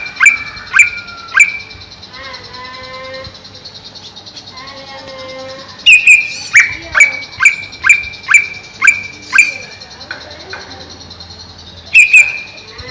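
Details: Greater green leafbird caged above a pond, giving repeated sharp descending notes in runs, a long series of about eight evenly spaced notes mid-way, with softer lower warbled phrases between bursts.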